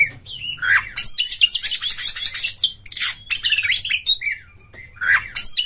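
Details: Lure song of an Oriental magpie-robin, rough and forceful with tail opened, meant to start other magpie-robins singing: rising whistles lead into loud buzzy scratchy bursts, then sliding whistled notes and a final harsh flourish, over faint low hum.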